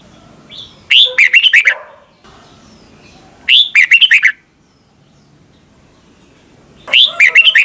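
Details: Red-whiskered bulbul, Thailand, song for young birds to learn: three bright whistled phrases about three seconds apart, each opening with a rising note and tumbling into quick chirps, over a low background hum.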